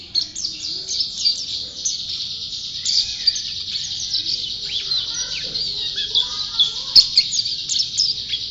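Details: White-eye of champion class singing persistently, a lively run of high twittering notes and quick upslurred chirps that continues without break, with a single sharp click near the end.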